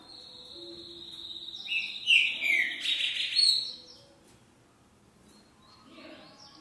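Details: Green-winged saltator with an unusual song variant: a loud burst of rich whistled and warbling notes, roughly between the second and fourth seconds, then near silence with faint background sounds.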